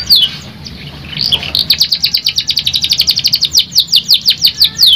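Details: Canary singing as a lure for a stressed canary: a quiet start with a couple of swept notes, then a loud, fast staccato trill of bright high notes, slowing into spaced downward-sliding whistles.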